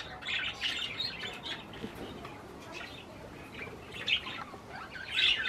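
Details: Budgerigars eating cherry tomatoes give bursts of high chirping chatter separated by quieter stretches, ending in a loud flurry.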